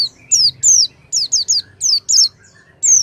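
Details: Oriental white-eye, lure sound to make a mute white-eye sing: loud, clear, high whistled chirps sweeping downward, given singly and in quick pairs and triplets.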